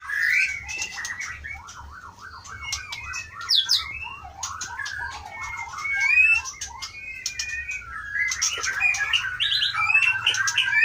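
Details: Captive white-rumped shama from Aceh, caught in 2012 in the Pining forest of the Leuser mountains and kept in a breeding cage since 2017, pouring out a loud, varied song of rapid zigzag trills, slurred whistles and sharp chips.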